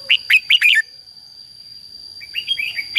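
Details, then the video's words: Competitive song of a red-whiskered bulbul, meant to lure wild birds and rouse decoy birds: four punchy whistled notes in under a second, a pause, then a softer run of twittering phrases, with a constant thin high tone behind. "CHÀO MÀO HÓT GỌI BỔI CHÉ CĂNG ĐÉT QUÁ HAY - KÍCH CHIM NHANH CĂNG LỬA"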